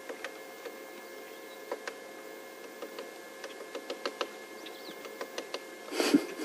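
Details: Woodpecker on a June 2 morning safari drive, tapping bark to reach wood-borer grubs or beetle larvae for breakfast: irregular single knocks and short clusters, sharp dry clicks over a steady background hum, louder rustle near the end.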